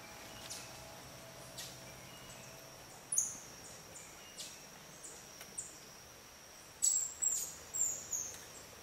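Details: Silver-throated Tanager (Tangara i. icterocephala) at Milpe Bird Sanctuary, Ecuador, in May 2012, giving very high, thin, sharp call notes, singly and then in a quick run near the end, over a steady high insect hum.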